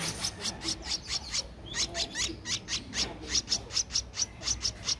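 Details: A 13-day-old Streak-eared Bulbul nestling, its eyes open since day 7, in Ubon Ratchathani, Thailand, on 15 April 2023, gives harsh, raspy, high notes, about two to three a second in an uneven run, over faint background hiss.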